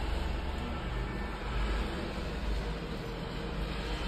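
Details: Dense low rumbling noise, like traffic, fills the recording with no animal voice.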